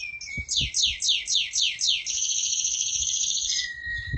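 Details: Canary, a lively award-winning singer, gives a low whistle, then about seven loud descending sweeps roughly every quarter second, followed by a long rapid trill and a closing low whistle.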